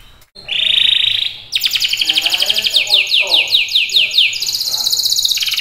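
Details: Canary song opening with a steady whistled trill, followed by a high rattling roll and a string of descending slurred notes, then another very high trill; soft murmurs in the background.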